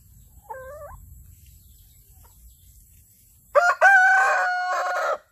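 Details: Rooster crowing in the morning: after a quiet stretch over low rumble and a faint wavering note, a loud, rich harmonic crow bursts out near the end, briefly breaking, then holding steady for over a second before stopping.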